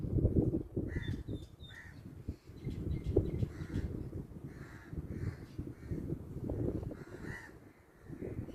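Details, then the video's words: Crow giving scattered hoarse caws, a pair close together early, then single caws spaced several seconds apart, against constant low-pitched rumbling noise. "crow making sound#caw caw"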